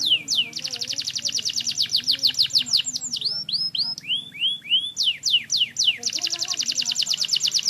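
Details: Canary singing semi wiper: long, fast, rattling trills of tiny repeated notes alternating with swooping down-slurred whistles and a run of rounded, arching notes; lively and nearly continuous.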